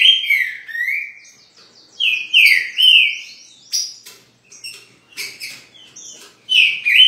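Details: Green-winged saltator, a new bird said to be weak, from Rio de Janeiro: loud clear whistled phrases that slide down then swing up, repeated in short bursts with thin high chirps and pauses between.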